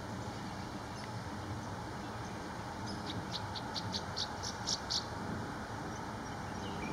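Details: Northern rough-winged swallow perched on a wire over the East Branch Perkiomen Creek, Salford Township, Montgomery County, Pennsylvania, recorded 21 April 2019: a run of short, high, rough buzzy notes repeated about four per second, amid steady low background hum.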